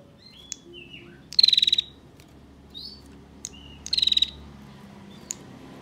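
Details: Female bar-winged prinia in rapid ngebren trilling, a master song for songbird training; two dense bursts of high clicks about two and a half seconds apart, short whistled notes and chips around them.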